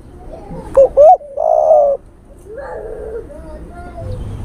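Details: Male spotted dove calling to a female, a call used as a bird lure: a few short low coos, then a longer, steady, mellow hooting note, followed by softer, fainter cooing phrases against light background noise.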